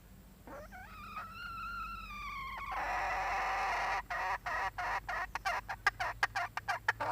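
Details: Hen giving a drawn-out harmonic call that starts high and slides slowly downward for about two seconds, followed by a rapid, uneven series of short, sharp clucks.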